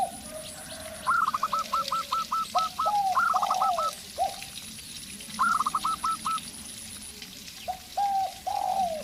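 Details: Local zebra dove singing against a spotted dove decoy: long runs of high, rapidly repeated coos in several phrases, answered by lower, drawn-out sliding coos, with a thin high tone and a steady hiss behind.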